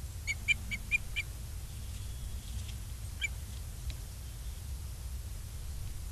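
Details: Osprey at its nest in Charlo, Montana, on 22 August 2023 at 16:07. A quick series of five short, clear whistled chirps is followed by one more chirp a few seconds later, over a steady low rumble.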